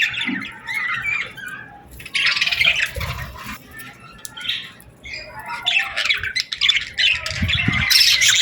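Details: At sunset on a summer evening, several birds chatter in dense, raspy chirping bursts, rising and falling in loudness, with a few dull low thuds underneath.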